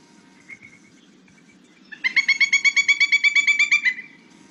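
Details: A Pileated Woodpecker gives a loud, ringing run of about fourteen quick notes over two seconds, rising slightly then dropping at the end, over a low hum; its calls are louder and more varied than a flicker's.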